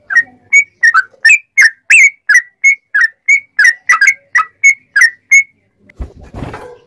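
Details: Sooty-headed bulbul song for tutoring and provoking other bulbuls: a string of about fifteen loud, slurred whistled notes in quick succession, then a brief clattering rustle at the end.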